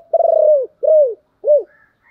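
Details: Spotted dove coo played to lure wild doves to coo along: a long, pulsing mellow coo that sinks at its tail, then two shorter rounded coos, each dropping in pitch, with faint high notes after.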